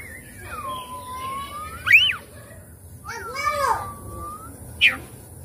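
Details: Oriental magpie-robin, a lure sound to spur a reluctant bird into singing and opening its tail: long whistled slurs, a loud sharp upsweep near the middle, another rising note and a brief bright chirp at the end, over low background hum.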